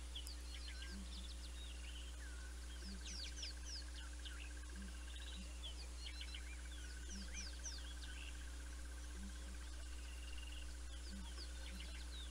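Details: Southern ground hornbill pair, Naledi Cat-EYE, 19 December 2021: deep, muted booms in a regular pattern, often doubled, repeated through the recording, with a busy chorus of small birds, a long buzzy trill and steady hum.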